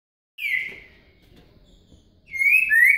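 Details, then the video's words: Green-winged saltator singing in the boca mole style with a virada: two loud whistled phrases, each a slurred note sliding down, separated by a quiet pause of about a second and a half. "Trinca Ferro Boca Mole com Virada"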